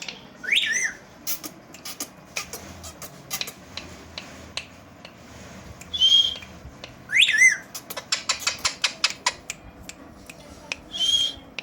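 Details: Indian green ringneck parakeets, a family kept together and talking in front of a mirror: short rising whistled squawks at about one, six, seven and eleven seconds, separated by rapid dry clicks and ticking sounds.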